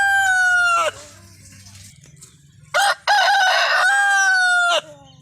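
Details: Desi rooster from India crowing twice: long harsh drawn-out calls with a rich buzzy tone, the second held steady for nearly two seconds before dropping off, with a low hum in the background.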